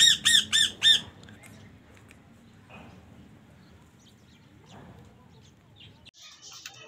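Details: A Chukar from a male-and-female pair playing gives four quick, loud, harsh squawking notes in about a second. Only quiet background hiss and faint rustling follow.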